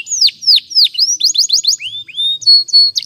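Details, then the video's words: Strong canary song for training: loud down-slurred whistles, a quick burst of rising notes, then steady upward sweeps and a clear held tone, all high-pitched and rhythmic. "Canary's Most Powerful Song For Training"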